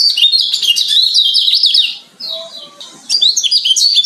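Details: Lemon-bellied white-eye training recording of varied song: dense, rapid high chirps and warbled notes in a continuous stream, with a short quieter pause before the twittering resumes.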